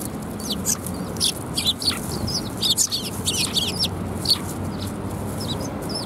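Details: Several sparrows arriving for food at Tenmangū shrine, 7 January 2021, give a busy run of short, sharp, high chirps, overlapping and irregular throughout, over a low constant rumble.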